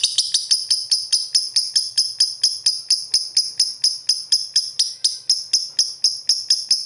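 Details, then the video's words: Lovebird giving a fast, even series of sharp, high chattering notes, about two per second in a steady rattling run with no pauses. "Suara Burung Lovebird"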